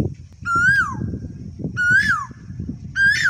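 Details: Rural Indian fieldside koel song: rich whistled notes that swell upward and then slide down, given three times at roughly 1.3-second gaps, with continuous low rumble underneath.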